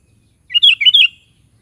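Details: Sooty-headed bulbul (kutilang) singing briskly: one short bubbly phrase of four liquid, rolling whistled notes over about half a second, then quiet.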